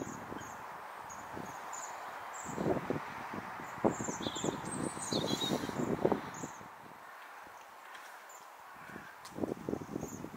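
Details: A number of waxwings eating berries in a tree in December 2023; frequent high, thin trilling calls come from several birds over steady background hiss, with bursts of rustling and clattering as they move through the branches.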